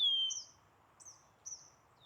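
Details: Several Eastern Kingbirds in one tree near the Ottawa River, Ottawa, Canada, in the morning, giving thin, high, buzzy notes in quick succession, about two a second, after a brief falling whistle at the start; faint background hum.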